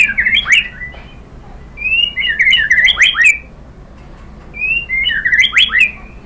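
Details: White-rumped shama song used to provoke other shamas into answering: clear whistled phrases with sweeping rising and falling notes, sung in three bursts separated by short pauses, with faint low hum beneath.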